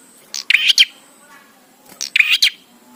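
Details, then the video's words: Bar-winged prinia in lively song, kept to spur other prinias into singing: two harsh, buzzy, rattling phrases, each about half a second of stacked scratchy notes, separated by a pause of over a second, with a faint steady hiss behind. "Prenjak Gacor Suara Ampuh💯% BIKIN PRENJAK CEPAT BUNYI"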